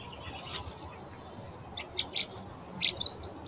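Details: Common blackbird fledglings, already grown as large as adults, still begging food from their father. A few short, high, squeaky bursts cluster in the second half over a steady background hiss.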